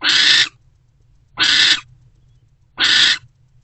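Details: Loud rasping screeches from barn owls in a nest box, a mother with her older owlet, 4:41–4:46 am on 20 February 2024; three half-second screams spaced evenly with silence between.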